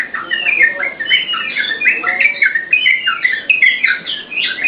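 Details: Yellow-vented bulbul singing a dense, bubbling run of overlapping whistled and chirped notes, used as a lure and master song for cage-bird training, with almost no pauses.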